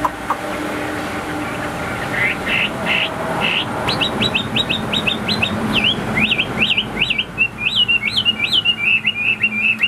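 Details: Song of a caged Chinese hwamei: after a few soft notes, a fast volley of sharp, repeated whistles, then looping rising-falling phrases and a closing run of quick trills, over a low background rumble.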